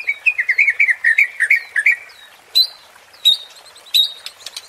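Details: White-rumped shama provoking song: a rapid run of warbled whistles, followed by widely spaced sharp, high rising notes.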